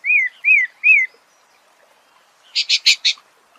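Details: Thrush (sabiá) singing three clear downslurred whistles in quick succession, followed after a pause by four harsher, buzzy broadband notes.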